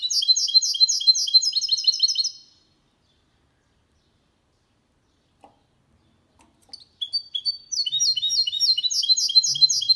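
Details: Hybrid of goldfinch with canary singing without errors, meant to prompt males and teach youngsters: fast, regular metallic twittering bursts, silence mid-recording, then renewed rapid chirping series.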